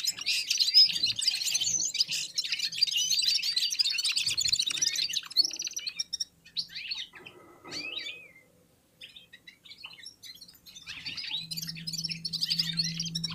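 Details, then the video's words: Red-fronted serin warming up its song alongside other birds: rapid high twittering bursts with brief pauses and a few clear rising notes near the middle, then a steady low hum toward the end. "Попели поели и опять попели в Унисон Красношапочные вьюрки"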